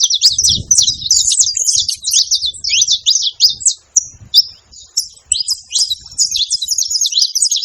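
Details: Saffron finch, free-living, noisy at a feeding spot: dense, rapid high chirps and short sliding notes in a near-continuous chatter, pausing briefly around four seconds, with faint low rustling underneath.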